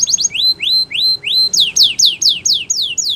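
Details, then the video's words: Training song of a canary: four upward-sweeping whistled notes, then a quicker run of sharp, loud downslurred notes repeated about every quarter second. "Canary's Most Powerful Song For Training"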